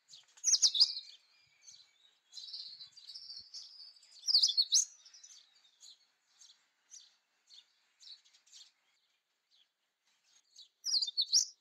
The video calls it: Indian Robin Song